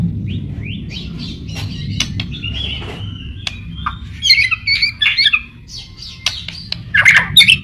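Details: White-rumped shama (murai batu) in gacor, nonstop-singing style, used as a pancingan lure to make other shamas sing: varied clear whistled phrases and quick chirps, then louder bursts of rich, metallic and scratchy notes in the second half, over a steady low rumble.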